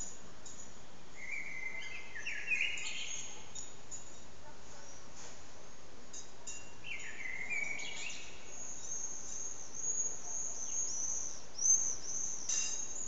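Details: Common blackbird singing in an echoing backyard courtyard, recorded on an old HTC Desire phone: two mellow warbled phrases at about two and eight seconds, each ending in thin high twittering, over a steady loud background hiss.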